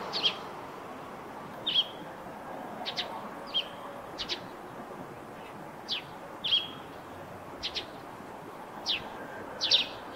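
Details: Eurasian tree sparrow near its rooftop nest, repeating single and doubled high chirps roughly every second, clear over soft background noise.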